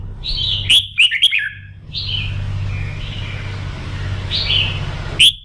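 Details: A Red-whiskered Bulbul sings its morning practice song, short bubbly warbled phrases that rise and fall, with a few sharp clicks over a steady low hum; the song is used to fire up birds for competition.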